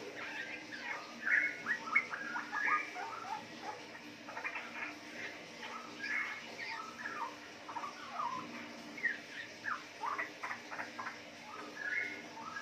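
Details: Young female Straw-headed Bulbul, four months old and DNA-tested, kept captive in Yogyakarta, Indonesia, from wild-type parents; riwik twittering of brief slurred notes in loose bursts, with faint background hum throughout.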